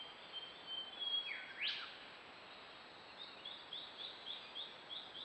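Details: Yellow-rumped thornbill gathering wool as nest material: a couple of high, sharp swooping whistles followed by a softer series of brief, evenly spaced high chirps over faint hiss.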